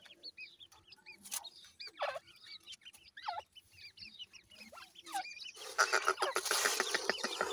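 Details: Grey francolin chicks (dakhni teetar) making high, hooked, down-slurred cheeps in quick succession, and later a rapid patter of clicks under a rising hiss.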